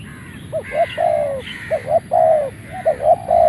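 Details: Decoy spotted dove of Malay strain crowing right after leaving its box: repeated three-part coo phrases, two quick short notes then a long mellow one, roughly once a second, with a higher scratchy overtone-like sound alongside.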